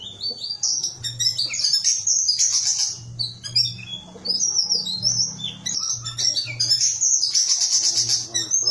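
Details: Whistling thrush singing a busy, continuous run of high, thin, twittering and chirping notes with quick slurred phrases and short pauses, over a steady low hum.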